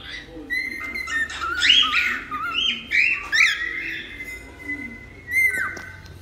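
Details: Cockatiel giving softer arched chirps and drawn-out level whistles, with sharp clicks and faint background sound.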